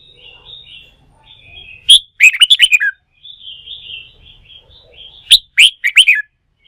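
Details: Red-whiskered bulbul in song-fighting training, excited into singing: gentle warbled twittering broken by two loud, fast rolling phrases of bright slurred whistles.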